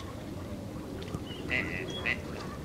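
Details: A shy Western swamphen (Porphyrio porphyrio) at the Olhão nature reserve in Portugal, late December 2011, gives a nasal, squawking call, then a second clipped squawk half a second later, over a steady low rumble of background noise.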